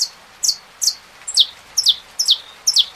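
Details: Saffron finch singing with rain falling: high, sharp, downslurred chip notes repeated steadily about every half second over a continuous hiss of rain.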